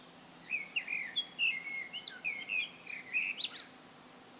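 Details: Common blackbird solo song, a continuous string of quick, varied fluty whistles and warbled notes, ending in a thin, high twitter, against a calm background.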